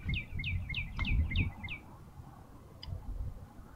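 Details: Bald eagle at a nest in Minnesota on 6 March 2013, filmed by a live nest camera around a landing: a quick series of six thin, high, downslurred whistled chips, about four per second, then a single faint note after a pause.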